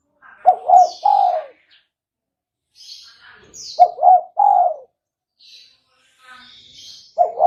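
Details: Spotted dove lure call for trapping. A three-part cooing phrase, two short hooting notes and a drawn-out falling coo, is repeated about every three and a half seconds. Faint high chirps from other birds sound in the gaps.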